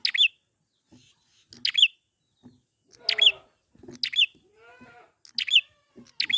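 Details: Wild prinia, used as a lure to prompt other prinias to sing: sharp, bright bursts of high chipping notes repeated about every one to one and a half seconds, with lower, harmonic, buzzy calls from another animal between phrases.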